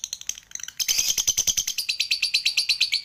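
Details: Lovebird ngekek, sung while falling asleep. A few faint, quick notes give way to a sudden louder burst of shrill, tightly repeated chips that run on without a break.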